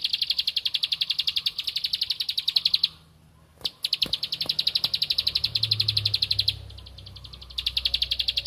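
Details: Bar-winged prinia (ciblek padi) seeking a rival with rapid 'tembakan ngempel' bursts: fast runs of high chipping notes separated by short silences, a sharp knock between bursts and faint low rumble.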